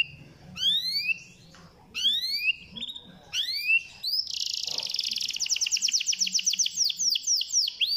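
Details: Canary song intended to stimulate a lazy canary: three separate bursts of rising whistled slides with pauses between, then a loud buzzy trill turning into rapid repeated chirps.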